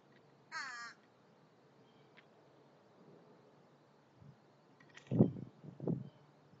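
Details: Common raven at a feeding station near a chicken coop: one harsh, ringing croak about half a second long near the start. Then quiet, followed by low thuds and bumps a few seconds later.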